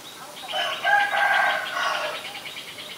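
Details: A Black-collared starling in Ubon Ratchathani, Thailand, on 17 April 2022 utters a loud, rasping call carrying steady whistled tones, fading into quicker chattering notes.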